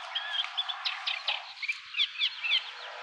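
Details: A Eurasian reed warbler at RSPB Marshside sings a busy, chattering run of scratchy notes and short whistles, repeated in quick jerky phrases, with steady background hiss.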